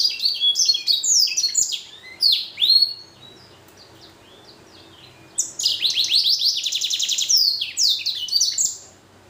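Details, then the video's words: Singing blackthroat x canary hybrid: varied high twittering and slurred whistles, a pause, then a fast, even trill of repeated notes followed by more sweeping phrases. "Blacken Gacor Warna Unik Sekali | Blackthrout x Kenari"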